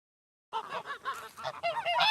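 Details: Geese honking: a dense run of nasal, trumpeting honks that overlap and tumble over one another, growing louder and busier toward the end, with no other sounds.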